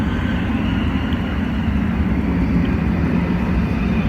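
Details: Loud steady roar of an aircraft or vehicle engine fills the recording, and no animal call is heard.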